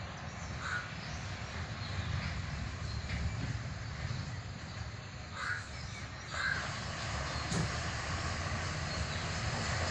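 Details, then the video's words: A crow gives a few short, harsh caws spaced several seconds apart near a farmland irrigation canal whose water is drying up, over a steady low rumble of traffic or wind. "நீர் கோழி sound செண்பகம் காகம்"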